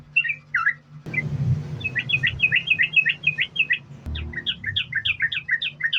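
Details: Yellow-vented bulbul singing continuous 'sambung ropel' phrases, used to coax other bulbuls to sing: a few bubbly whistles, then bursts of quick chattering notes over rumbling handling noise and a low hum.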